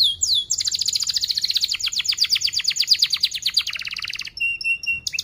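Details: Canary lure song for young birds learning to sing: a long, rapid rolling trill of crisp repeated chirps, then a few spaced whistled notes and a sharp slur at the end.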